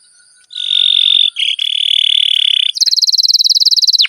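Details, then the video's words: Canary singing a long 'ngerol' roll, a lure song for prompting other canaries: a steady buzzy trill held about two seconds, a brief break, then a faster high pulsed roll of about twenty rapid notes. "BURUNG KENARI GACOR NGEROL PANJANG JITU"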